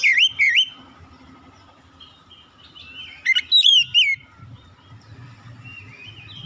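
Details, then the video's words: Oriental magpie-robin singing: loud, clear whistled phrases with rising and falling slurred notes, a pause of about two seconds, then a burst of sharp, high, varied notes, over a low steady background hum. "KICAUAN INDAH BURUNG KACER"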